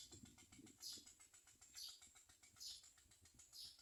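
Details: Common myna chicks being fed by their mother give harsh, hissing begging rasps, repeated about once a second, with soft clicking and low rumbling in the background.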